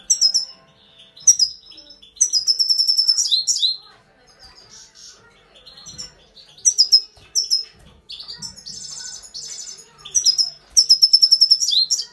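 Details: Grey-crowned goldfinch repeating short bursts of high twittering and chirps, quick trilled phrases recurring every couple of seconds with quieter gaps between.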